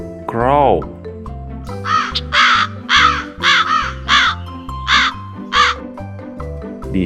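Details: Crow giving a run of about six harsh, hoarse caws spaced under a second apart, with steady background music throughout and a brief spoken word at the start.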